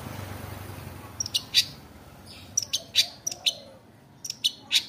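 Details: Long-tailed shrike in lively afternoon song, giving bursts of bright, high, sharp chirps in small clusters separated by brief pauses, over a quiet low rumble.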